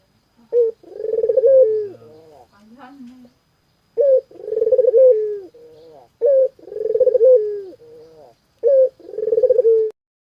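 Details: Close, clear cooing from a puter dove: a quick accented note, then a drawn-out vibrating coo sinking at its close, the phrase repeated roughly every two and a half seconds, with one soft extra murmur between phrases.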